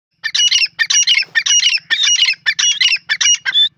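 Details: Francolin calling loudly in a rapid series of harsh, squawking notes, about seven bursts in under four seconds, each bursting with high rasping tones and a brief whistled ending; a faint low hum runs beneath.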